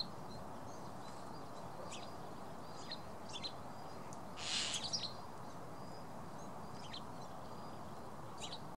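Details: A sparrow in a tree-hole nest on Tatyshev Island, Krasnoyarsk, in May 2014, gives short, high chirps scattered through the clip, with a brief louder twittering burst midway, over steady low rumbling background noise.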